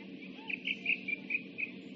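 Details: Osprey calling at the nest on a live camera, 26 July 2016: short, bright chirped notes repeated roughly every fifth of a second, with a constant low background hum.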